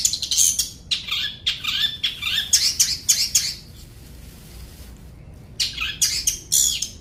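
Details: Long-tailed shrike singing in rapid, harsh, buzzy bursts mixed with thin high squeaks, roughly two phrases a second for about four seconds, then a pause of over a second before another quick scratchy burst.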